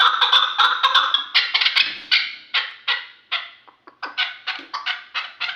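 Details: Three-year-old hunting chukar partridge from Kulob, Tajikistan, calling loudly: a rapid, fairly loud series of harsh chucking notes, about two or three per second, slowing briefly mid-sequence before picking up again.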